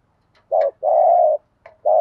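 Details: Spotted dove used as a lure bird, giving 'thúc gù' cooing: a short low coo, then a long sustained one, then another short coo starting, with faint soft notes between.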